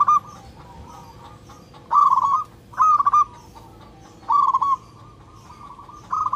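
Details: Local zebra dove singing loudly to attract a mate: rolling, trilled coos given about once a second in bursts, strong phrases alternating with weaker ones, over a low hum.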